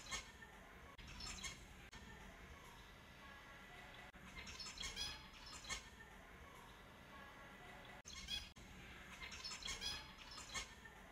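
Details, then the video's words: Several finches give busy, high-pitched twittering in clustered bursts separated by quieter pauses, with a few abrupt breaks in the recording. "30 Minutes of Finches Sounds for Lonely Finches"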